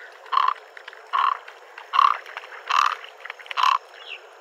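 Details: Great egret calling with five gruff, clipped croaks spaced less than a second apart, each brief and raspy, standing out clearly over a quiet steady background hiss.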